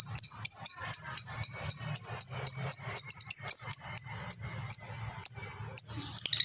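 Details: Kept lovebird giving a long ngekek: a rhythmic series of shrill, high chirps, roughly two per second, continuing for about six seconds and ending in a quick flurry, with a soft hum behind.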